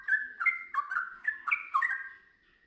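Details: A sooty-headed bulbul (trucukan) sings in the ngiwir-to-long-ropel style: six liquid, gurgling note pairs in quick succession, ending on a drawn-out fading whistle, with a quiet background.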